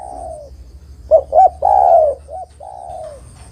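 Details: Spotted dove (derkuku) calling other doves to a trap: a long sliding coo, then two clipped notes, a loud drawn-out coo, a short hook and a final falling coo, low hum underneath.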